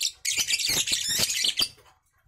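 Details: Three-month-old young lovebird from champion stock giving a loud, dense burst of shrill, squeaky chattering chirps lasting over a second, then falling silent.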